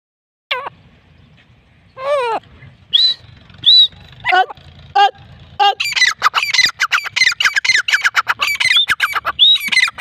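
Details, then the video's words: Female grey francolin calling: loud, harsh, rising notes, sparse at first, then a rapid, almost continuous run of sharp repeated calls through the last four seconds, with faint low rumble beneath. "dakhni teetar ki awaz"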